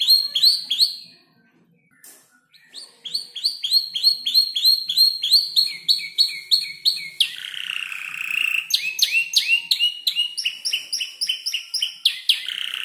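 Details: Five-month-old canary singing steadily as it learns to piece together imitated songs of other birds, including bar-winged prinia and tailorbird. Fast runs of sharp repeated notes change pattern several times, with a buzzy rolling trill in the middle.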